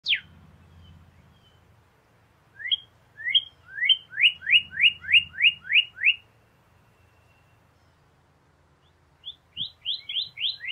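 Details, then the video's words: Northern cardinal singing: after a quiet start, a run of about eight rising, clear slurred whistles in quick succession, then a pause and a second faster burst of similar upslurred notes, with faint low rumble beneath. "BEST CARDINAL bird song chant cardinal"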